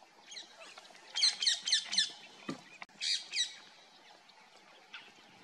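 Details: Grey francolin in dry grassland of Hinauta, Panna National Park, central India, giving soft, clipped contact clucks used by a covey to keep in touch, a run of four then two more, about four per second, faint background chatter.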